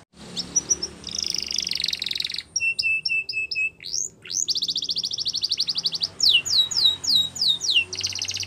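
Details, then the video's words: Canary song for training: bursts of fast buzzy trills, a run of short paired whistles, more rattling trills and a series of descending slurred notes, sung continuously. "Best Canary Sounds !! Suitable For Canary Training"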